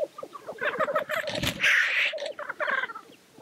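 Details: At a black grouse lek, a continuous low bubbling coo sits beneath scattered chattering notes, with one strong rushing hiss, the sneezing display note, near the middle.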